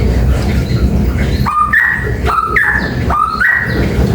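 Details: Papuan beach bulbul giving a piercing song: three clear whistled phrases about a second apart, each a short lower note rising to a longer, higher held tone, against low rumbling background noise.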